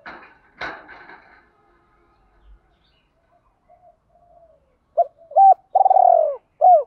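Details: Decoy spotted dove calling to excite newly caught doves. Opens with a burst of rough, noisy sound, then silence. Near the end come short hoots, a long rolling downward coo and a final hoot.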